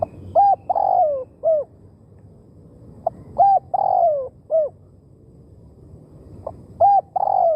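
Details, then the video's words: Spotted dove cooing, used as a decoy to attract wild birds: a phrase of short hollow coos around one long falling note, repeated about every three seconds with pauses between, over low background noise. "เสียงนกเขาใหญ่ต่อ หมาน ๆ นกป่าเข้าไว"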